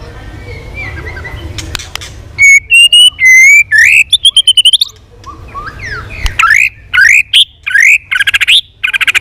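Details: White-rumped shama in training, singing a competitive song with tail flapping and many varied voices: loud, rising whistled notes, some trilled and buzzy, delivered in quick bursts after a quiet start.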